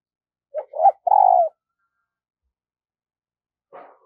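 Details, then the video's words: Spotted dove used as a decoy, its good voice meant to stir other birds: a quick short note, a rising second note, then a drawn-out falling coo. A brief rough sound follows after a long quiet gap. "Luyện Giọng Chim Cu Gáy Mồi Mỗi Ngày"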